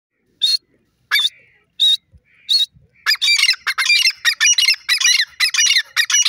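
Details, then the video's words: Grey francolin, also called Irani teetar: four spaced, sharp single notes, then a loud, fast series of harsh, ringing repeated calls. "grey francolin bird lovely sound,irani teeter ke boli"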